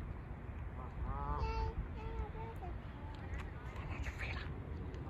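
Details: Canada geese calling before takeoff: a few nasal honks in quick succession, the middle ones clearer and slightly rising, over steady low rumbling background noise.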